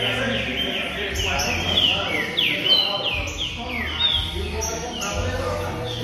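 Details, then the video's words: Green-winged saltator song played to warm up a pet bird: loud, clear whistled notes, mostly sharply descending slurs, delivered in quick phrases about once a second, over a steady low hum and faint background murmur. "ESQUENTE SEU TRINCA FERRO EM 1 MINUTO!"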